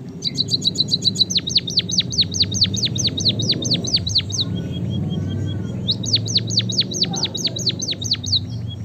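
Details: White-headed munia (Lonchura maja), song.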